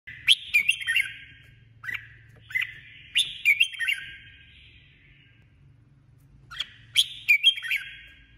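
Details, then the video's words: Female red-whiskered bulbul kept as a decoy bird in competitive singing, delivering three bursts of bright, chattering whistled phrases with sharp high notes and descending slurs, separated by pauses of a second or more. "Chào mào hót đấu 2021| chào mào mồi 2021 | chào mào mái"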